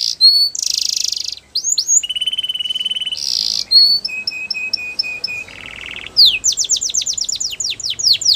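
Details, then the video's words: Canary training song: a varied run of loud phrases, with high sweeping notes, a steady buzzy trill, a string of rapid repeated pips and fast descending whistled notes in quick succession. "Canaries Singing !! The Best Canary Training Song"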